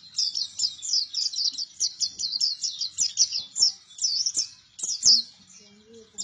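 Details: Buktoni white-eye singing vigorously: a quick, regular series of high twittered notes, each slurred downward, easing into a looser chatter toward the end, with a faint low hum late on.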